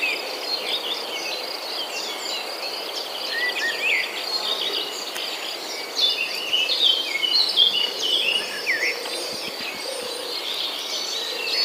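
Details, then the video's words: Birds twittering among green corn plants and palm trees: dense, irregular chirps and quick trills, loudest midway, with an ongoing high insect drone and soft low hum. "The sound of birds chirping among the corn plants"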